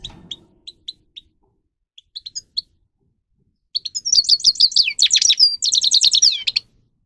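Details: Sparse, evenly spaced high chips from a grey-crowned goldfinch build into a fast, bubbling stream of twittering, slurred notes, used as training song for birds.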